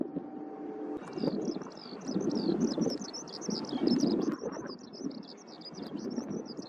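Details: A Eurasian skylark on the Edogawa riverbank, Tokyo, in March 2025 pours out a long, unbroken stream of high, rapid, chirruping and trilling notes over a steady low rumble of wind and distant traffic.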